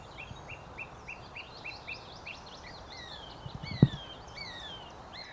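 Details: A song thrush sings behind the listener at a fairly new site: a short rising whistled note repeats about nine times at a steady pace, then higher sliding phrases. The song is melodious, slowly delivered and loud, over distant traffic roar.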